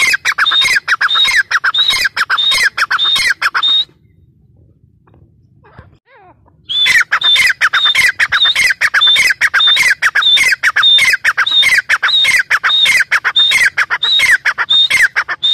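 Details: Grey francolin calling, known locally as teetar, a loud harsh squawking phrase repeated rapidly, about one and a half per second, with a brief quiet gap midway before the calling resumes just as strongly.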